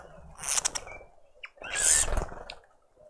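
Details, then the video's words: Green woodhoopoe family group feeding at a garden bird feeder in suburban Pretoria, South Africa, on a spring Sunday morning; two loud, harsh, high rasping bursts about a second apart, with faint background chatter. "Green woodhoopoe (Phoeniculus purpureus) out on a noisy spring Sunday morning family breakfast"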